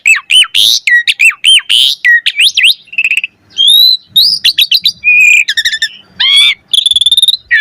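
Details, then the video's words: Lively full song of an Asian pied starling used as a prompt for other starlings: quick repeated arching chirps, buzzy phrases, clicks and long steady whistled notes near the end. "Jalak Suren Gacor Full Isian Variasi - Pancingan Jalak Suren Agar Burung Jalak ikut Gacor Full Isian"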